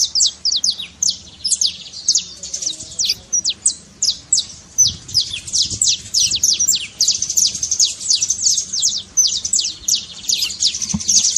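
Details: Saffron finch song, a trill to spur a quiet canary into singing, long sequence of bright rapid descending chips grouped in repeated bursts, steady and energetic throughout.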